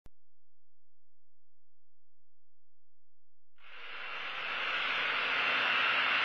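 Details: Near silence for about three and a half seconds gives way to a steady broadband rushing noise that slowly grows louder.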